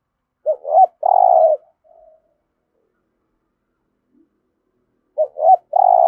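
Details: Spotted dove giving 'giọng thổ' coos to urge captive birds to call and fight: a phrase of two short looped notes and a long coo, a faint murmur, then a second phrase starting after a pause.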